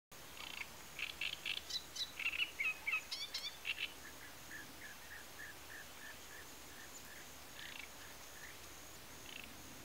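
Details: Great reed warbler singing in the Tancat de Milia reedbed reserve, l'Albufera de Valencia, where it breeds from spring to summer. Loud, harsh, croaking chatter of grating notes for about three seconds, then a run of short repeated chirps, almost frog-like.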